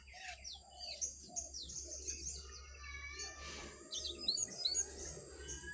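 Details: Singing duel between a wild jongkangan and caged jongkangan: busy high chirping and twittering throughout, with quick sharp squeaky notes near the end over a low droning background.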